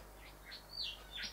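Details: Brief phrase from a male Rufous whistler that visits bedroom and bathroom windows to look at his reflection: a few soft whistled slurs, then a sudden bright upward-sweeping note at the end.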